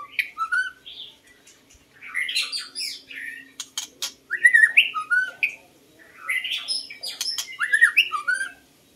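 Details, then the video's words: White-rumped shama song used to lure birds: rich, varied whistled and warbled phrases in bursts, with sharp clicks and squawky notes between, pausing briefly between phrase groups. "White-rumped Shama Hunter"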